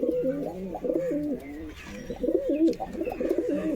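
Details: A purple-coloured domestic pigeon for sale in Beldanga, just released to show it, gives low, throaty, wavering coos in a steady run.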